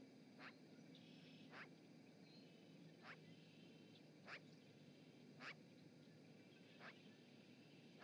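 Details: A magpie by the Charlo osprey nest in Montana, recorded through a live cam on 7 March 2018, calls seven rough, rasping notes at irregular spacing of about one to one and a half seconds, over soft background noise.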